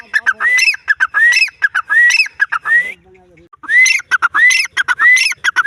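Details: Grey francolin giving its loud repeated call, a rising whistled note run into choppy, harsh syllables, phrase after phrase. A brief quiet pause falls midway before the calling starts again.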